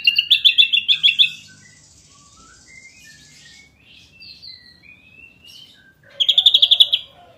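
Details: Ashy drongo in rich masteran song: a fast stutter of high chips, then a long quiet passage of thin, rising and falling whistled slurs, and a final sudden burst of rapid sharp notes.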